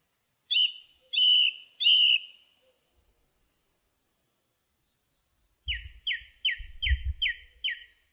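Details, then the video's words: Song thrush sings a slurred whistle three times, pauses, then repeats a short bright note six times over a low rumbling background. "Song Thrush Singing"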